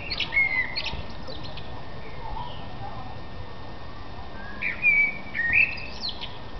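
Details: A thrush in a tree in April 2005 gives two short bursts of clear, whistled and chirping notes, the second richer and several seconds after the first, over a steady low background hiss.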